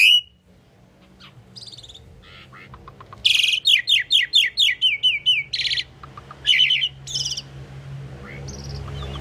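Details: Common pied myna singing a jumbled series of chirps and short bursts, building to a fast run of about ten loud rhythmic clicks, then more scattered squeaks, with steady low hum.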